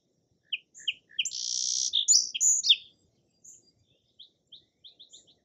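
Song Sparrow opens with three sharp, evenly spaced notes, then a dry buzzy burst and a jumble of bright warbled phrases, trailing off into faint high ticks.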